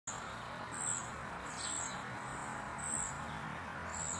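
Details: Spotted flycatcher chick begging its mother for food while she feeds it: thin, very high squeaky notes repeated about once a second, four calls over a steady background hiss.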